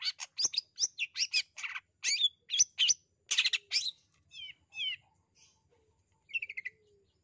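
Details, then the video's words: Calls of a long-tailed shrike used to prompt a shy or lazy shrike to sing: dense harsh, chattering, rasping bursts in quick succession, then softer trilled, descending phrases separated by pauses. "Burung Pentet memanggil untuk Cendet yang MALU atau Malas bunyi"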